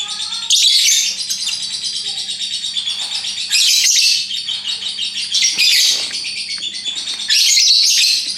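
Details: Lovebird kept at home, singing its ngekek chatter: long streams of fast, high, scratchy trills broken into loud sustained bursts about every two to three seconds, with quieter twittering between.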